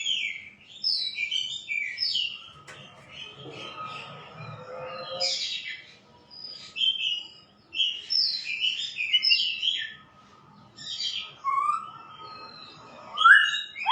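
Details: Varied song of a white-rumped shama: bursts of quick whistled and chattering phrases separated by short pauses, each burst different, with a faint low hum underneath.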